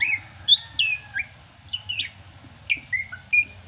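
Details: Greater green leafbird from Sumatra singing in the rainy season: loud, clear whistles slurring down from high to lower pitch, several in quick succession, with a few short rising notes.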